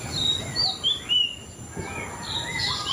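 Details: White-rumped shama song: clear whistled notes and quick slurred phrases, a brief pause mid-way, then rising and falling whistles over a steady background hiss.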